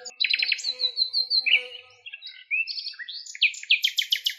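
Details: Common nightingale in Greece, wild bird singing: a rattled trill, a string of clear whistled notes, then sliding rising whistles and a final rapid series of high repeated notes.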